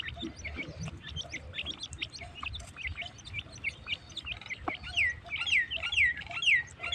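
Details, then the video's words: Partridge (teetar) calling amid a busy mix of chirps: the second half brings clear, loud descending whistled sweeps repeated about twice a second, over scattered short chirps and low background rumble. "teetar birds cugata"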